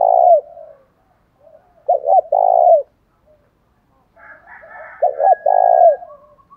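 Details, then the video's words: Spotted dove calls, male and female, used to draw rivals into fighting: low purring coos, two full phrases of double hoots and a long rolling note, plus a higher overlapping call near the end. "chim cu gáy mồi giọng thổ đồng thúc đấu rút bổi nghe rất nhanh về"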